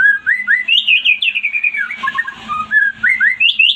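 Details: White-rumped shama song meant to prompt a silent bird to respond and sing: loud, rapid whistled phrases sliding up and down, with quick repeated chirps and brief rattling notes in a continuous energetic stream.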